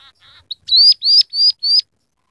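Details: Scaly-breasted munia, a singing bird used as a song tutor mixed with canary phrases: a few soft faint notes, then four loud, clear, slightly rising whistles in quick succession, high and thin, with a quiet background.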